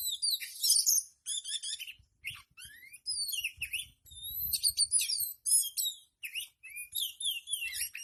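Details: Tail-spreading oriental magpie-robin pours out a fast, jumbled medley of bright whistles, buzzy trills, upslurred notes and harsh chips, barely pausing across eight seconds, with faint low rumbles underneath.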